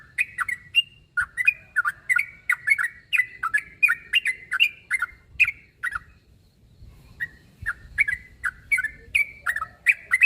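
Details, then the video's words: Sooty-headed bulbul calling a rival: a fast burst of bright chirps, a short break around the middle, then the quick, varied whistled notes resume. "Suara burung trucuk narung memangil lawan"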